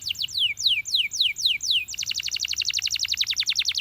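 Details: A Belgian canary sings high, falling whistled notes, about three a second, then a fast, even trill of short bright notes, singing to encourage other canaries to sing.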